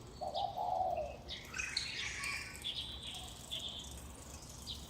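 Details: Birds waking a Taipei community at roughly 5:25 am, May 2019, calling from poles and wires: a single low coo opens, followed by a dense burst of high chirping and whistled trills from several birds.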